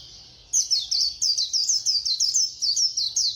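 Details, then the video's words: Fast Khuyên Líu white-eye song: after a soft start, a steady rapid series of loud, high, downward-slurred whistles, roughly five per second, over faint low noise. "Khuyên Líu Hay _ Mau Mỏ _Tốc Độ _Tiếng chim Khuyên Líu"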